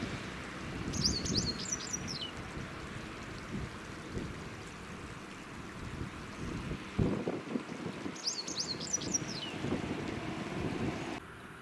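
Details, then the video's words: A Japanese wagtail (Motacilla grandis) gives two quick bursts of sharp, high, scratchy notes about seven seconds apart over steady low wind rumble; Fukuyama, Hiroshima, Japan, 25 February 2019. "セグロセキレイ の鳴き声"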